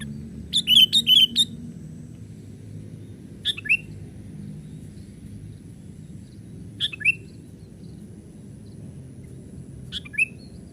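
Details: A young sooty-headed bulbul used to lure wild birds gives a quick cluster of bright chirps, then single short two-note calls spaced a few seconds apart, over a constant low rumble and a faint high tone.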